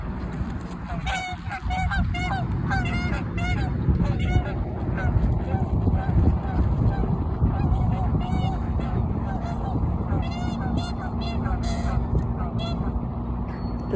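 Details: Canada geese squabbling over territory, with runs of rapid nasal honks early and again later, quieter gaps between, all over a constant low rumble.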